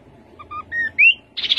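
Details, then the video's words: Rufous-capped babbler: two soft low piping notes, a flat whistle, a bright upslurred whistle, then the start of a harsh buzzy high-pitched trill, with faint background hum. "Khướu bụi đầu đỏ. tiếng khướu đầu đỏ"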